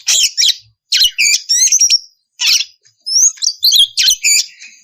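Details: Oriental magpie-robin female in breeding condition calling the male: dense bursts of harsh, buzzy chattering mixed with thin high whistles and rising slurs, delivered in rapid phrases separated by short gaps.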